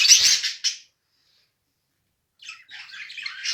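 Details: Mated pair of budgerigars: a loud harsh squawky burst at the start, over a second of silence, then soft, scratchy warbled chatter building in strength toward the end.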